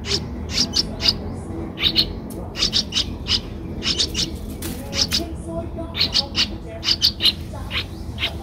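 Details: Nestling streak-eared bulbul at 12 days, eyes open since day seven, Ubon Ratchathani, Thailand, April 2023: loud high chirps in pairs and triplets with short gaps, faint low noise behind.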